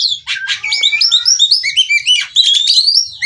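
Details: Female white-rumped shama from Cirebon used to coax singing: a continuous tumbling run of bright whistles and quick rising and falling notes, with harsh buzzy accents.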